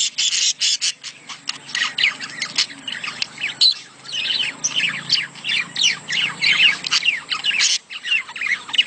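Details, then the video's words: Budgerigar mating sounds, used to encourage females to lay eggs quickly: busy, continuous chattering, with rapid squeaky warbles and short squawks. Clicky bursts mix in, and the sound barely pauses over several seconds. "خلي انثي البادجي تبيض بسرعه.اصوات التزاوج للتحفيز"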